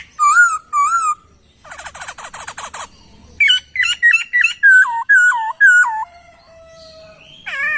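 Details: Laughingthrush song used as a master recording for training songbirds: clear whistled notes slurring downward, then a fast buzzy rattle of repeated notes, then a string of rising-falling whistles repeated about twice a second, with a long faint whistle near the end.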